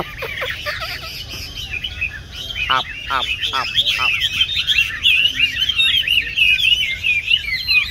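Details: Tame 'tam hoàng' Chinese hwamei in a cage, yellow-legged and yellow-billed, large-bodied, kept for stand singing. A few low harsh notes come first, then a rich, fast warbled song of varied whistles builds and continues.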